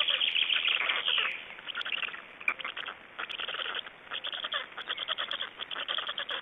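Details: At an Estonian black stork nest during feeding on 26 May 2012, loud scratchy chatter opens, eases off, then returns as quick, uneven bursts of rasping pulses.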